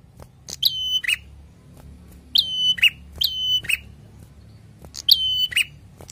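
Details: Lively Prinia song: three phrases, each a click, a high level whistle and a dropping buzzy note, spaced about two seconds apart with quiet ticks between.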